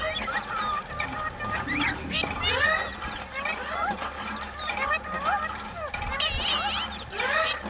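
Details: Parrot talking, with a steady run of squeaky, wavering, speech-like notes that slide up and down in pitch, interspersed with short chirps over low background noise.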